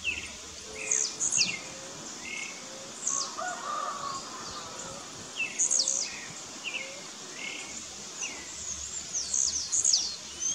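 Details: Two or more blue-black grassquits (tiziu) sparring in the bush repeat sharp, high, wheezy bursts about every two seconds. Busy lower chirping from other birds and a steady insect background fill the gaps.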